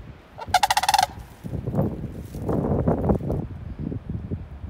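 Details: A sandhill crane, dated 5-3-20, gives one rattling, bugling call of rapid pulses lasting about half a second, then quieter low rumbling and shuffling sounds nearby.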